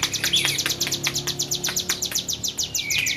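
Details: Tame hill prinia in vigorous song, a brisk string of high, thin repeated ticks with a faint squeaky note over a soft low hum.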